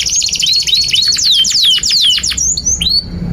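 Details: Canary singing loud continuous tutor song for young canaries: a rapid string of bright descending whistled sweeps, closing with a few high clear notes.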